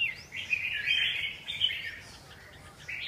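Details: Red-whiskered bulbul in dense, fast chattering song with slurred warbled notes, loudest in the first two seconds, then softer before a final higher note.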